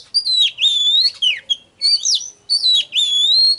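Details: Oriental magpie-robin song used as a lure: three loud drawn-out whistled phrases with swooping slurred notes, separated by brief pauses.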